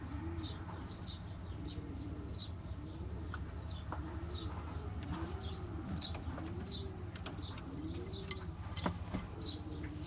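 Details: Champion long-distance racing pigeons cooing in a loft: soft, low arched coos repeated roughly every second, with faint higher chirps from other birds and a steady low hum underneath.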